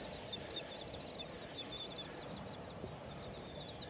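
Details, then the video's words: Terns calling on a Friday morning beach walk at Delnor-Wiggins Pass State Park, North Naples, Florida, on August 23, 2019: quick runs of short, high chattering notes rise over a steady wash of surf. "Those are terns that you're hearing."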